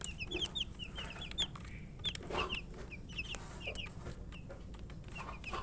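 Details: Coloured poultry chicks wanting water give sparse, shrill peeps, each a quick high falling note, repeated irregularly. Soft scratching and pecking clicks come from eating, with low background hum.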